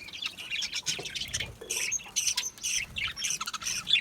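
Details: Budgerigars calling together in an aviary: rapid scratchy chirps and short squawks tumble over each other, with a few clear whistled notes standing out.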